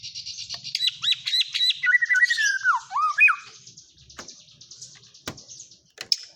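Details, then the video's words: Murai batu, the white-rumped shama, singing kapas tembak fill: high buzzy chatter, then a mellow descending whistled run with looping notes, fading into soft high trills. "suara burung murai batu isian kapas tembak"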